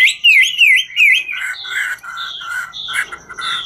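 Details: Chinese hwamei (Garrulax canorus), a 'ngũ trường' style singer, singing while dancing: three loud, quickly repeated rising-then-falling whistled notes, then a rich, varied run of lower warbled phrases with no pauses. No other sounds.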